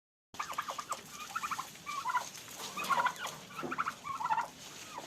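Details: Domestic turkeys fighting at a farm in Pakistan, giving rapid rattling gobbles in short bursts of several pulses, repeated roughly every second, with a faint background hiss.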